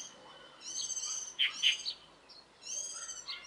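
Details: Birds singing in the early morning in mid-April: stacked, slightly nasal notes in short phrases, with a sharp louder chirp near the middle and a further phrase at the end.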